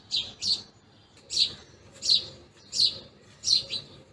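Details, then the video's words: Feeding house sparrows chirp in bright, clipped notes, often doubled, spaced roughly every 0.7 seconds with brief silences between, over faint low background noise. "Sparrows Chirping | House Sparrows feeding Sound"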